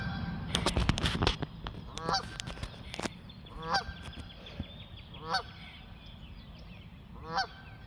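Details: Flying geese give four short, harsh honks spaced one and a half to two seconds apart, after a burst of sharp broadband thumps and clatter at the start; a steady low rumble runs beneath.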